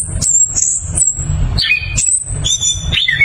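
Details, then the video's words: Orange-headed thrush (anis kembang) in powerful, clear ngeroll song: long high thin whistles broken by brief sharp chips, then lower paired whistled notes and a falling slur, with a steady pulsing low rumble underneath. "ANIS KEMBANG GACOR NGEROLL POWER JERNIH"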